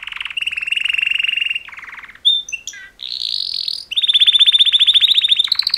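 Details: Mating song of two male canaries, opening with a steady rattling trill, then a softer roll, a few sharp whistled slides, and a bright rising trill of rapid pulses near the end.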